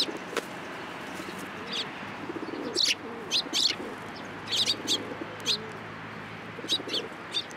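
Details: Sparrows coming to a hand for food at a Tenmangu shrine, 13 April 2023; sharp high chirps every second or so, some in quick pairs, over murmuring low pigeon coos and background hum.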